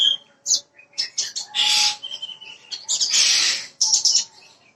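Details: Bushlark, parva form, lure song to get an untrained bird singing quickly: sharp chirps mixed with harsh, rasping bursts and a clear whistled note, in an uneven, lively delivery.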